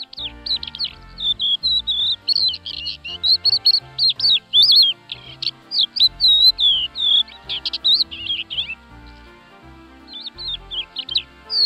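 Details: Crested lark delivering a long, continuous run of varied fluting whistles and trills, notes sliding up and down with barely a pause, faint low tones underneath.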